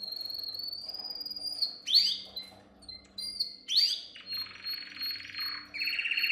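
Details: Training song of a canary for young birds: a level high trill broken by sharp descending sweeps, then a harsh buzzy passage and a return to the bright rolling trill.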